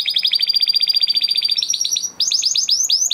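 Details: Huppe Spanish Timbrado canary bred in 2020, singing training song: a fast even run of repeated chips, a brief break, then slower bouncing descending notes.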